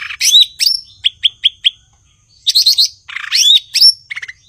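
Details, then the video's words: Cucak ijo, the blue-winged leafbird, in full song: bright slurred whistles, five evenly spaced piping notes, a short pause, then quick rattling trills and a rising, looping whistle. "Burung gachor Cucak ijo/Ranting"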